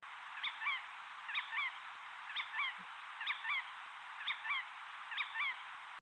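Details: Jerdon's Courser in Andhra Pradesh gives its sharp, stereotyped disyllabic (two-note) call, repeated about once a second in a steady series over a constant background hiss.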